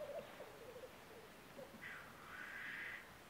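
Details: Black grouse in Norwegian woods, early spring in April 2012: faint low bubbling notes at first, then a drawn-out, airy hiss that swells and fades over about a second.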